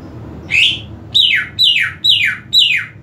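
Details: Greater green leafbird in captivity delivers five loud slurred whistles, the first rising, the next four sweeping steeply downward, spaced roughly half a second apart, over faint low hum.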